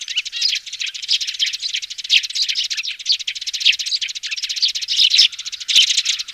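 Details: "Tiếng xuống" call of young sparrows, broadcast by loudspeaker for trapping: a continuous chatter of quick squeaky chirps, with a brief louder flurry near the end.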